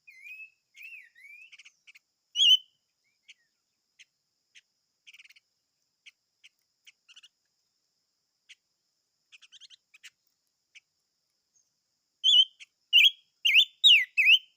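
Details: Chim ngũ sắc song. A soft warbled whistle and scattered faint ticks and chips fill a long pause. Then a loud series of four or five bright, slurred whistles comes at the end.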